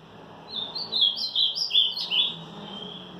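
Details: Ultramarine grosbeak (Hórus) singing loudly on the morning of Monday, March 18: a single warbled phrase of quick sweet notes rising and falling for nearly two seconds over faint background hum.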